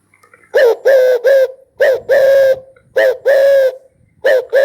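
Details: Continuous spotted dove cooing: steady series of short and longer level coos, grouped in threes, delivered loud and close with little pause between phrases.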